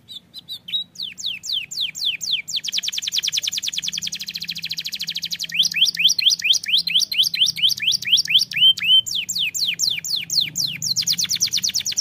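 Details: Singing canary, a song said to start other canaries singing: loose falling whistles speeding into long buzzy rapid trills, alternating with bursts of swept notes over twelve seconds.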